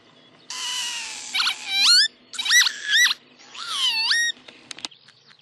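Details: Eurasian oystercatcher on the Værnengene meadows on 19 May 2013: a loud run of shrill, piping calls, each note rising then bending, fired in quick bursts over a low steady background hum.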